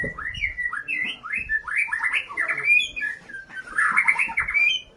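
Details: ['Fighting-style song of a vigorous White-rumped shama, aimed at angering opponents: continuous looping, warbled whistles repeated in quick succession, bright slurred phrases climbing and dipping, growing fuller toward the end.']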